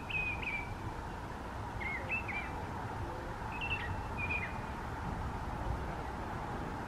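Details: In a park, a mockingbird delivers a few spaced, varied phrases of slurred and clipped whistled notes, fairly faint against constant low-pitched environmental noise.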